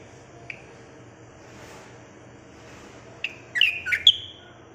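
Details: A pet light-vented (Chinese) bulbul from Taiwan, said to have become more aggressive after training, gives a lone high chirp, then a quick burst of bright, slurred chirps near the end, over a quiet hum.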